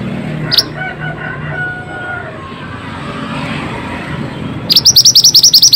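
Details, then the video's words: Pied bushchat in full song, a lure for birds that will not sing: a single high chip, a quiet stretch with faint background noise, then a fast run of sharp, rising notes toward the end. "Pancingan burung Mantenan gacor ll Cocok untuk burung mantenan malas bunyi"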